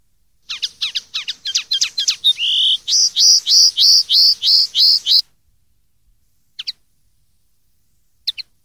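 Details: Common linnet song for teaching young linnets: a fast series of thin twittering notes flowing into a run of loud, evenly repeated warbled notes, then silence broken by two faint chirps.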